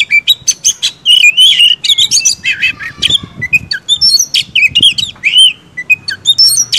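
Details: Loud, rich song of an Oriental magpie-robin (kacer) singing 'gacor' to make rival birds agitated: fast trills, rising and falling whistles and harsh scratchy notes packed closely together, faint low background noise beneath.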